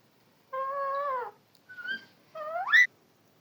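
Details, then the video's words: Parrot talking in a quiet room: three clear voice-like sounds, a steady level word, a short higher syllable, then a rising, upward-sliding word. "Beautiful parrot talking parrot"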